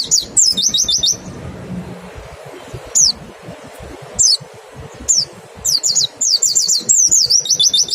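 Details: White-eye 'nembak' song with 'ngecal' lure to stimulate fast singing in kept birds: rapid strings of shrill descending whistles at the start and end, separated by isolated single high notes about once a second, faint low hum beneath.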